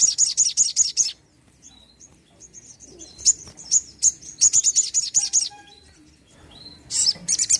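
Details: Energetic sogon bird song, a lure to prompt quiet birds to sing: runs of rapid, piercing high notes, a quieter stretch of thin chirps, then another fast burst.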